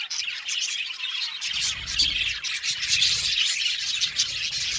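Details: Colony of budgies in an aviary giving continuous high, scratchy chatter and chirps from many birds at once, joined midway by a low muffled rumble.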